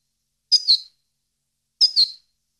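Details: European goldfinch song recording meant for training captive goldfinches; two short, sharp high double-noted calls about 1.3 seconds apart, each with a quick twittering second element, in otherwise silent surroundings.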